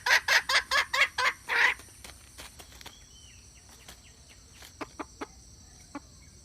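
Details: Red junglefowl hen luring males with her call: seven loud, rough cackling notes in quick succession, then a quiet stretch with only a few faint, scattered clicks.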